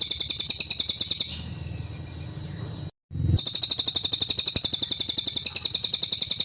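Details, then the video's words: Cililin singing 'full nembak' as a master tutor for cage songbirds: a fast run of piercing high chips, nearly four per second, pauses briefly with a short silent gap, then resumes at full intensity. "SUARA BURUNG CILILIN FULL NEMBAK"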